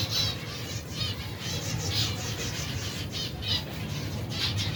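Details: Colony of more than 120 pairs of finches with their young, feeding during their daily routine; dense overlapping high chirps and twitters, some bright notes standing out, over a steady low hum.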